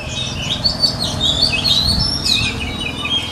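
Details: Continuous high, warbling whistled phrases from a white-rumped shama, offered as training song for shamas, with steady low-pitched background noise underneath.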